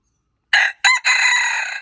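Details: Red junglefowl, recorded February 26, 2025, giving a loud, strident crow: two quick opening syllables, then a sustained, slightly wavering final note still ringing when the recording cuts off.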